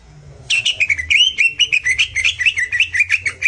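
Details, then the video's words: Greater green leafbird master song for jantrok: after half a second of low hum, a lively run of quick, sharp notes repeating roughly five per second with small pitch jumps. "CUCAK IJO Auto JANTROK denger Suara Masteran ini"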